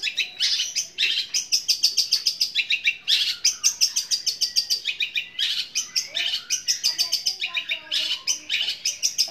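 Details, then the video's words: Long-tailed shrike mimicking sparrow chatter: loud, harsh, sparrow-like chattering in rapid, long, powerful bursts, with a few lower, thinner whistled notes near the end. "Cendet suara gereja tarung sambung kunti gacor panjang keras powernya"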